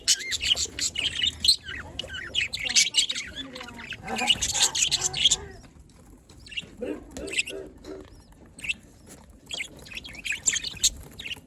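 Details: Happy pet budgies giving a dense run of scratchy, squawking high chirps and warbles, which then fade to quieter, scattered chirps over a low background hum.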